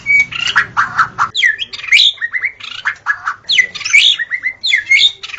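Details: White-rumped shama singing a vigorous gacor song in the forest. It gives a loud, varied run of clear whistles, quick rising and falling slurs, and harsh buzzy chatter. The phrases tumble one into the next without a break.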